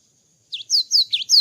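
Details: Java sparrow after moulting: five high chirps, alternating dipping V-shaped notes and downward-slurred whistles, delivered quickly after a brief silence.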